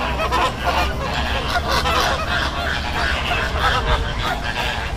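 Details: Many greater flamingos at a backwater in Bagalkot keep up a continuous gabble of harsh, goose-like honks, calls stacked densely on one another above a low rumbling hum.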